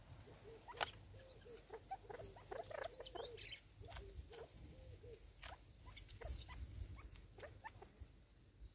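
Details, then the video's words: Low, hollow, curved notes from Natal spurfowl in short bursts at the start, then mostly scratching and pecking sounds with scattered high bird chirps, as six birds compete over food in South Africa, 2024. "Six Birds of a feather competing over food & making sounds"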